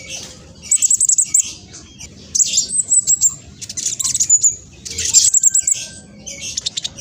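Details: Olive-backed sunbird with rapid, noisy song used as a lure for other birds: repeated bursts of high, quick ticking notes mixed with thin squeaky trills, separated by short pauses.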